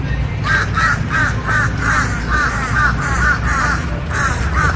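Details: Crows up in campus trees at Rollins College, Winter Park, Florida, recorded 13 March 2018, giving a quick series of rough, evenly pitched caws after a short pause, with a low rumbling background beneath them.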